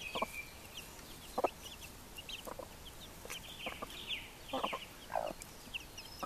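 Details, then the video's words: Hens and their chicks: isolated low clucks spaced a second or so apart, mixed with brief high chick cheeps, some rising, others short chirps, against a quiet background. "Hühner und Küken"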